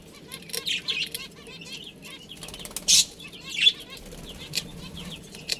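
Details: Budgerigars in a colony that includes a breeding pair: scattered warbled chirps and short squeaky notes, with a few louder sharp calls standing out against a quiet background.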